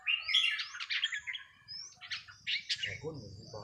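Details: Red-whiskered bulbul kept in a cage, practised on a free day, singing quick chattering whistled phrases in two bursts, somewhat distant, with a faint human voice coming in toward the end.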